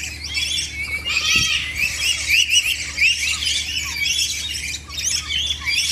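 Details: Lories in a collection give a loud, continuous burst of harsh, grating squawks mixed with short upslurred chirps. Several birds overlap throughout with no pauses.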